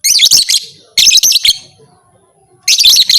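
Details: Lovebird producing calls claimed to make other lovebirds become fighters: two dense bursts of rapid, screechy, high-pitched chatter, a pause with a faint low murmur, then a third burst.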